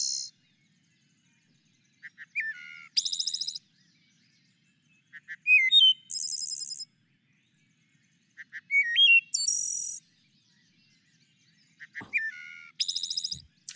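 Wood Thrush singing four flute-like phrases about three seconds apart: soft low notes, a clear liquid middle, then a buzzy, trilled ending.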